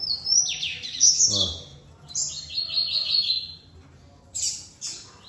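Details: Captive male Double-collared Seedeater in a breeder's 10 m flight aviary, newly paired with a female, sings high, rapid twittering phrases with buzzy trills while guarding his area and chasing off other males; a man speaks faintly behind.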